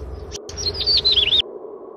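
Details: An albino Yellow-bellied prinia (Prinia flaviventris), a bird of grass and bushes on flat to hilly land, gives a quick run of about eight high, wavering, slurred notes in under a second, over a steady low hum.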